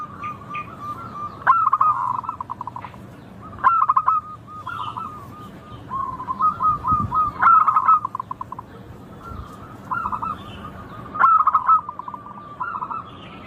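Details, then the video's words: Repeated song phrases from local zebra doves, clear and crystal-toned: sharp stuttering coo bursts every few seconds, each trailing into trilled, bubbling notes, with a second dove overlapping. "Suara burung perkutut lokal Merdu kristal Jernih Ampuh bikin cepat bunyi manggung ngayer"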